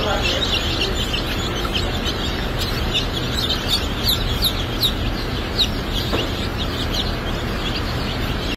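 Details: Newly hatching splash laced red and blue laced red Wyandotte chicks at a hatchery: many high, thin peeps overlap in quick bursts, densest midway, over a steady mechanical hum and rumble.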